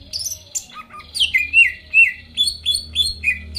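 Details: Song of a greater green leafbird played to goad rivals into singing; scattered high chirps open, then clear downslurred whistles repeat steadily, each falling from a sharp high start.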